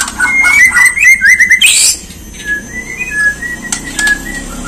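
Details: White-rumped shama song used to provoke other birds to sing and become agitated: quick runs of clear whistled notes sliding up and down, a rising buzzy flourish, then spaced whistles over a steady hiss.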